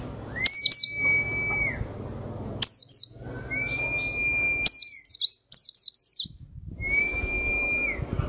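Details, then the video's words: White-eye kept caged two weeks after selection from a crowded trader's cage: short groups of high, rapid twittering notes, interspersed with a long even tone and low background rumble. "Pleci Ombyokan 2 Minggu Gacor"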